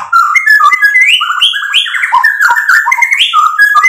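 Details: A white-rumped shama sings constantly as a lure meant to provoke other birds to reply. It gives a rich, fluty whistled song of quick varied phrases that jump between lower and higher notes without pause.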